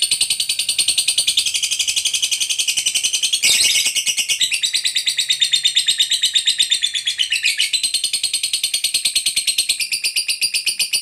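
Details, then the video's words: Lovebird ngekek panjang, a drawn-out trill meant to make fellow lovebirds call back: eleven seconds of continuous shrill, buzzy, rapidly repeated pulses, with brief pitch wobbles around the fourth and eighth seconds. "PANCINGAN SUARA BURUNG LOVEBIRD NGEKEK PANJANG"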